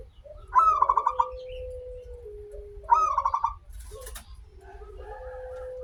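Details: Zebra dove of a local strain singing as a lure: two quick trilled coo phrases of pulsing notes, then a sharp clatter and a steady lower tone resuming, over faint low-frequency noise.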